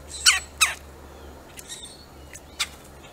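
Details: Woodpecker calling at a squirrel it wants gone: two loud, rasping squawks close together, followed by softer, shorter notes.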